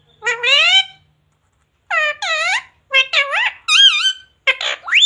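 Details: Pet parrot talking indoors, imitating words such as "mummy papa" or "radhe radhe": high, harmonic speech-like phrases in short bursts separated by pauses, with rising and falling inflections.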